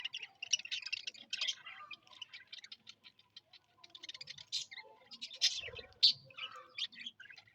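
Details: A colony of Australian budgerigars (Melopsittacus undulatus) in flock chatter, chattering nonstop with high, scratchy warbles, clicks and quick chirps.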